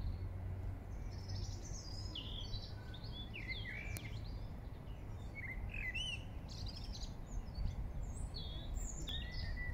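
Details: Song thrush singing in Regent's Park, London: a varied run of short, sharp, high notes and quick chirpy phrases, some swooping and some repeated, over a steady low hum of city noise.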